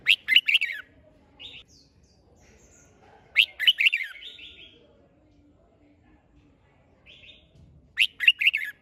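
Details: Bulbul song phrases, red-whiskered, used to rouse birds to sing: rapid chattering, warbled bursts recurring about every three to four seconds, separated by quiet gaps with brief softer whistled notes.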